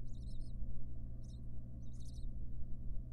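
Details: In a monitored nest box, a wild barn owl mother gives her nestlings attention. Brief high chirrups come in three uneven groups, the last one longer, with a droning low hum underneath.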